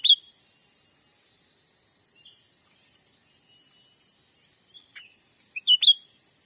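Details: Cucak ranting recorded in the Sumatran forest while trapping wild birds, used as a lure. Short bright chirping notes open the recording, then after a quiet stretch a quick cluster of sharp, rising chirps follows near the end.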